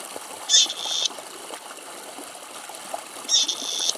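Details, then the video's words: In Greek farmland, a very large flock of at least twenty grey partridges hesitates to cross a farm track about 70 m away; two harsh, grating creaks, each about half a second long and nearly three seconds apart, over a steady watery hiss. "Πέρδικα Φωνές - Grey Partridge and Calls"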